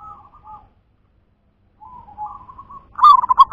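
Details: Zebra dove of a local strain gives quiet wavering coos, a pause, a longer soft rolling phrase, then a sudden loud run of quick, throbbing, stuttered coo notes at the close.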